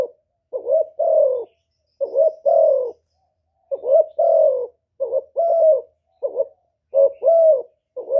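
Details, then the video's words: Spotted dove kept as a lure in Cà Mau, Vietnam, calling to draw in wild doves; paired soft coos, a brief note followed by a drawn-out falling one, separated by gaps of about a second, clean and quiet otherwise. "CU GÁY MỒI ĐẤT, CU ĐẤT GÁY, CU CƯỜM GÙ KÍCH BỔI, TIẾNG CHIM CU MỒI"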